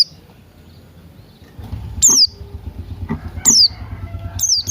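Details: Morning song of Buxton's white-eye, combined with cucak rante, played to coax birds into singing: three piercing high down-slurred notes spaced over a second apart above a low rumbling background.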